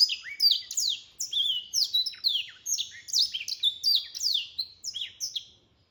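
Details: Black-throated canary song from a mule, a long energetic string of piercing descending whistles and short chirps repeated rapidly for about six seconds, fading at the end, with a clean background.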